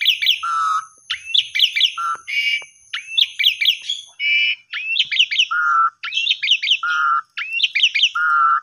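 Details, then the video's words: Asian pied starling song used as a lure to stimulate silent or sulking birds: repeated phrases of rising whistled notes and quick chattering bursts, each ending in a steady low whistle, with harsh rasping notes between. "Pancingan Jalak Suren Gacor Bagus Untuk Jalak Suren Macet/Pundung"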